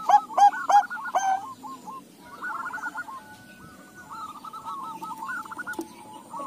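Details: Bangkok-local crossbred zebra doves, all answering one another: three loud, quick, harmonic cooing notes open the clip, then softer, rolling, trilled coos from other doves carry on faintly in the background.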